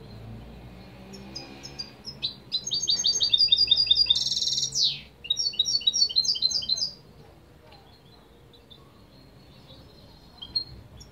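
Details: A Spanish goldfinch delivers a lively tinkling song, fast metallic twitters building into a harsh buzzy note mid-phrase, followed by more chattering trills that fade to near silence.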